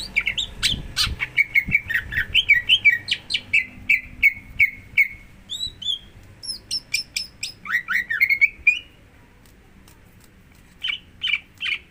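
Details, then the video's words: Greater green leafbird singing, used to prompt another bird into song: a fast, dense stream of chirps and whistled slurs, then clipped descending whistles, a short pause and a few final notes. "Pancingan Untuk Cucak Hijau Agar Mau Bunyi"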